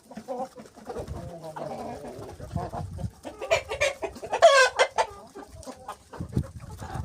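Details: Hens and roosters peck at something white; soft clucking builds to a louder, sharp cackling burst near the middle, followed by scattered clucks and pecking taps.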